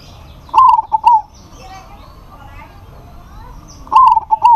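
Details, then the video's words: Zebra dove, local type, singing eagerly to challenge a rival that answers. Two loud phrases of fast, rolling coos about three seconds apart, with faint softer sounds in the pause between. "PERKUTUT LOKAL GACOR MEMANGGIL LAWAN PASTI NYAUT"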